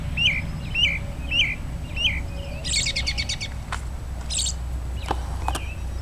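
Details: American robin at Woodlawn, Tennessee, 13 March 2008, giving several calls and songs: short, clear slurred notes about twice a second, then a higher buzzy trill and a few sharp clicks, over a steady low rumble.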